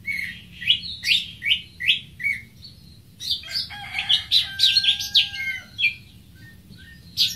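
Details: Greater green leafbird (Chloropsis sonnerati) song opens with a rhythmic series of similar upswept chirps, then a dense, varied medley of high squeaks and chatter over a long steady whistle, ending on a sharp note.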